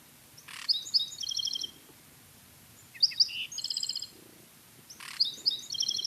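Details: Black-throated Sparrow in southeastern Arizona's Madrean Sky Islands singing three high phrases, each a couple of sharp notes then a bright, tinkling trill, roughly every two seconds over a faint low hum.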